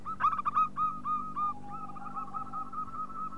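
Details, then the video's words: Local zebra dove calling as a lure: a quick run of clipped coos slides into a longer rolling, trilled cooing phrase, with a faint lower tone beneath and a low background hum. "Panggilan Perkutut Lokal"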